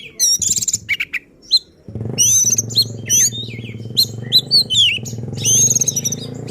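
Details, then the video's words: Oriental magpie-robin pouring out an agitated, insistent song that shows its repertoire, used to provoke other magpie-robins; high sweet whistles, quick trills and downslurred notes over a noticeable steady low mechanical drone. "Burung Kacer Gacor Ngotot dan Emosi Suara Menggila Bongkar Isian."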